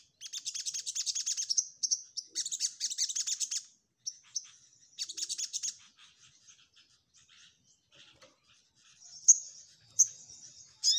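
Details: Orange-headed thrush pouring out a fast, harsh, chattering song, used to train other songbirds; long dense runs of scratchy high notes, then quieter scattered twitters and a few sharp shrill notes.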